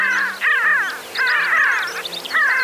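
Pin-tailed Sandgrouse calling: harsh, nasal, crow-like notes but higher pitched, given in three rolling bursts within a few seconds; a faint low hum underneath.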